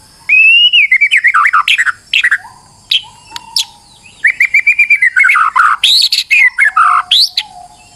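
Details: White-rumped shama under stress, singing to provoke a rival into song: rapid chattering whistled phrases broken by low pure whistles, then a dense second burst of trills and high notes, with short gaps between outbursts.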